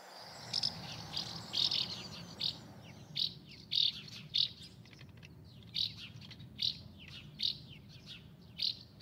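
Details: Delichon urbicum, the house martin, giving short, clipped high chirps repeated about every half second to second over nine seconds, fairly evenly spaced, against a low steady background rumble.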